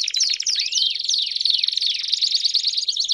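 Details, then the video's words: Campainha-style canary song with piados for tutoring young canaries: fast buzzy rolled trills running without pause, cut through by several loud downward-swooping whistles. "Canto Campainha Com Piados Top Para Treinar o Canto de Canarios Filhotes"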